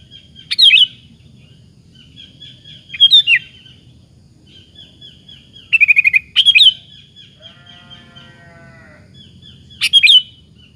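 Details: Sooty-headed bulbul singing as a lure to provoke other bulbuls into answering: short bright bubbly phrases every two to four seconds, linked by thin level whistles, with a faint low rumble underneath.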